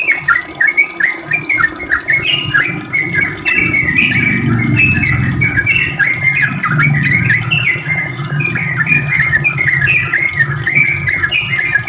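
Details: Sooty-headed bulbul pouring out a long rapid 'ropel' song used to coax other bulbuls to reply: dense chattering whistled phrases throughout, with a steady low rumbling background sound in the middle.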